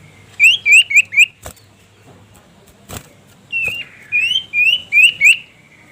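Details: Common Iora (cipoh sirtu) singing to call a rival, a training recording for songbirds. Two bursts of quick, upward-slurred high whistles, about four per second, separated by sharp clicks and a short pause.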